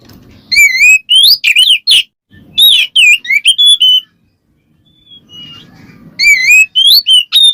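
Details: White-rumped shama singing ngeplong to provoke a rival: fast runs of loud whistled and upslurred notes, some harsh, broken by a short quiet gap with low background rumble, then another rapid run.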